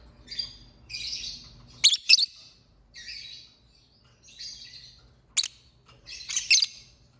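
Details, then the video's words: Lovebird singing and chirping in uneven bursts, roughly four per second at peaks: harsh buzzy high chirps mixed with sharp clicks and louder shrill notes, separated by brief pauses. "Lovebird Singing & Chirping Sounds"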